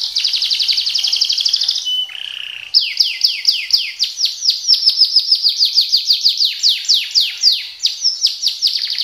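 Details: Colour canary singing a lively speed-roll style song: a fast buzzy trill near the top of its range, a brief lower churr, then a long run of rapid descending whistled sweeps repeated several times a second.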